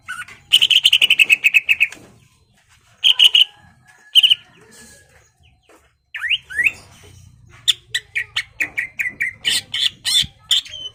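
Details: Greater green leafbird singing hard to provoke a rival to fight: a fast buzzy trill, short bursts of rattling notes and upslurred whistles after a pause, then a rapid run of sharp chips and whistles.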